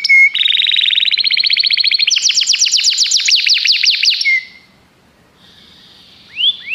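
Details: Common canary delivering a fast rattling trill that speeds into sharp repeated falling notes, then goes quiet before a single rising whistle returns.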